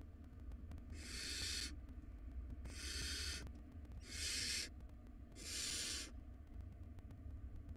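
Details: Nest-box barn owl nestlings quarrel over a big rodent. Four loud, noisy screech-hisses, each lasting under a second, come about every one and a half seconds with quiet low hum between.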